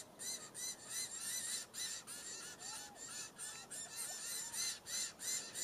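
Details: Diamond firetails recorded in Victoria, Australia, in November 2015, giving continuous high, ringing, arched notes in a regular pulse, with a few softer lower curved notes mixed in partway through.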